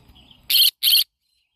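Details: Yellow-sided conure parrot giving two loud, harsh, raspy squawks in quick succession, each about a fifth of a second, separated by a brief pause, after a moment of soft low background noise.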